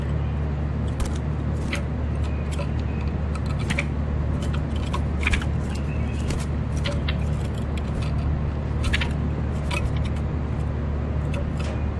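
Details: A steady low engine-like hum with scattered clicks and light rattling, and no clear animal voice.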